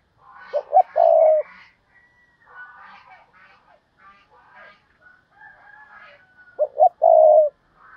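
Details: Decoy spotted dove in thúc bổi calling: the deep phrase of two short coos and a long rolling note is heard twice, about six seconds apart, with other birds chirping and twittering between.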